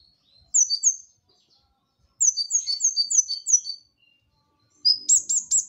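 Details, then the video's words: Brown-throated sunbird giving short bursts of high, sharp, descending chirped notes, five or six in quick succession. Brief silent pauses separate the runs, and a final burst of rapid trilled notes closes it. "Kolibri Ninja Gacor Masteran"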